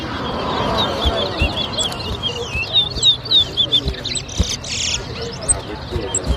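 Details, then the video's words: Caged towa towa birds whistling in a competition at Better Hope bird ground, Guyana: quick, high, slurred whistled notes in a rapid run, over crowd chatter and voices. "TOWA TOWA BIRD WHISTLING COMPETITION"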